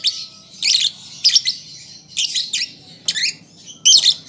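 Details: Harsh buzzy squeaks from a young lovebird learning to sing, six separate high bursts spaced roughly half a second to a second apart with quiet between.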